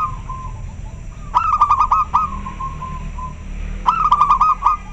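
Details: Very clear local zebra dove responding to another bird: two loud bursts of quick, stuttering pulsed coos, each trailing into a softer sustained tone, over a low steady background hum.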